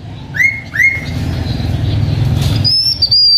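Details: A H'Mông keeper's blue-winged minla in decoy song: two short rising whistles in quick succession, a pause, then a high level whistle wavering slightly near the end, with a low background rumble throughout.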